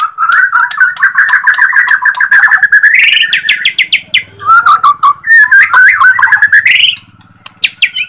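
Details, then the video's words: White-rumped shama, Borneo type, singing as a lure meant to rouse other shamas; a fast run of repeated whistled notes, then a rising sweep, trills and bright varied phrases, loud and continuous. "Pancingan Murai Kurang Emosi ||👍 Murai Batu Borneo || Rumped Shama"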